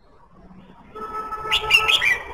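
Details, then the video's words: Red-whiskered bulbul song used to stimulate singing: a quick burst of bright, slurred warbling notes rising out of a background of faint steady tones and low noise. "Kích giọng chào mào"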